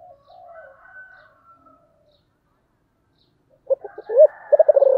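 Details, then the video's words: Spotted dove singing in the special 'giọng thổ' song style. Faint wavering tones come first, then after a silence a low stuttering run of short coos and a loud arched coo. "Cu gáy giọng thổ đặc biệt"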